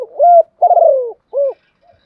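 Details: Decoy spotted dove calling in the morning to lure wild doves in to fight it: one phrase of three deep, hollow coos, the middle one longest and gently falling.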